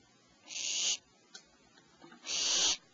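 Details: Owl at 04:47, as the mother brings prey to owlets in a nest cavity amid squits, twitters and screeches: two harsh, breathy hissing screeches, each about half a second, nearly two seconds apart, with a faint click between.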